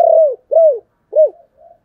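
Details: Lure cooing of a spotted dove: three loud, low, arched coos about half a second apart, the last trailing into a soft fading note, clean background.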